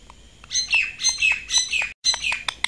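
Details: Caged plum-headed parakeet kept as a talking pet, described as angry: harsh, scratchy squawks and chattering notes in short bursts of about half a second, repeated roughly every half second, with a brief silent gap and sharp clicks near the end.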